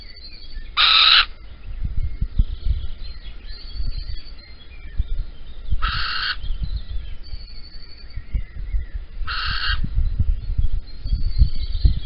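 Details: Male little owl at dawn, Holten, 16 April 2020 around 6 a.m., arriving with a caterpillar while the female is away; three short, harsh, squealing calls about four seconds apart over constant low rumbling background noise.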